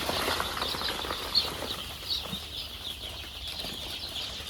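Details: Many chicks on a poultry farm, packed together in a box because of the cold, keep up a dense, continuous chorus of high overlapping peeps with no single voice standing out.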